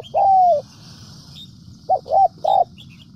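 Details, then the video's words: Decoy spotted dove of the Central Highlands, Vietnam, cooing: one long level falling coo, a pause, then two short notes and another brief coo; light high chirping of other birds in the background. "Chim Cu gáy mồi đỉnh tây nguyên"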